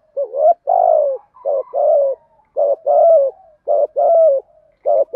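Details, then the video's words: Spotted dove cooing in the 'thổ' voice, used to lure and train doves: steady low coo phrases, each a short hooked note followed by a longer falling coo, repeated about once a second. "thuc gù giọng thổ, chim cu gáy giọng thổ thúc gù mới giọng hợp bổi"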